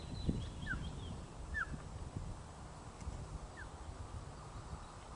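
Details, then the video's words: Osprey on its nest at Loch of the Lowes, webcam recording from 1 June 2013, 13:26, at the chick's first feed: three quick descending whistled chirps over low thumping and rustling noises. "Loch of the Lowes Ospreys 2013 - 1 June 13.26hrs - First Feed for Chick"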